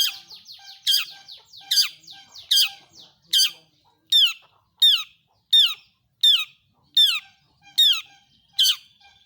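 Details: Long-tailed shrike lure call used to make other shrikes sing: loud harsh downslurred notes repeated roughly every 0.8 seconds, a softer quick chatter at the start, about eleven calls in all.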